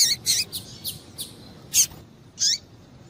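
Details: Female double-collared seedeater call, meant to get males singing: a quick series of high chirps fading in strength, then two louder, separate notes, the last ending in a falling sweep.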